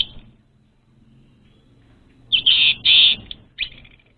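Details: Orange-headed thrush, lure song for untrained birds. A thin whistle, near silence, then two loud, sustained shrill whistled notes and a quick sharp note, over a low background hum.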